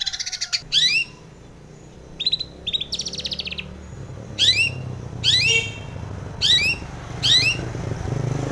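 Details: Harsh, rising, scratchy notes from a female long-tailed shrike, played in the morning as a lure for caged birds, repeated about once a second, with short buzzy rattles between.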